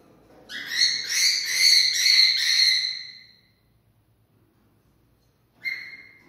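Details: Cockatiel singing to stimulate mating: a fast run of rough, buzzy harmonic notes for about two and a half seconds, then a pause and one short sharp note near the end.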